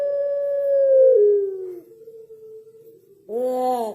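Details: Pelung dove singing: a long, steady, mid-pitched drawn-out note that drops lower and fades into a softer hum, then a brief, rich, arched tone with many overtones. The background is quiet.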